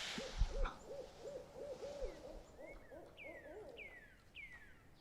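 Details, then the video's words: Barred owl heard at night from a wilderness camp on day 43 of the Pacific Crest Trail, at the base of Mt Hood, recorded on a GoPro: a fast run of low, rounded hooting notes, while sharp descending whistles from another bird sound over it. "I heard a barred owl"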